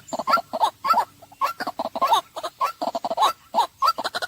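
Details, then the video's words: White-breasted waterhen giving a dense run of harsh, croaking notes in quick overlapping bursts, some with a sharp higher edge, packed closely over four seconds. "เสียงนกกวัก/Waterhen Sounds"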